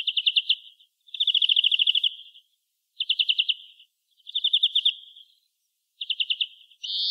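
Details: European greenfinch delivering a series of rapid, even rattling trills separated by brief silences, some short and some longer, with the start of a buzzy wheeze at the very end.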